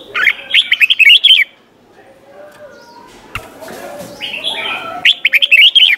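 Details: Red-whiskered bulbul singing bright, bubbly whistled phrases in quick bursts, with a quieter pause and softer chatter between phrases; a song recording meant for teaching young captive bulbuls.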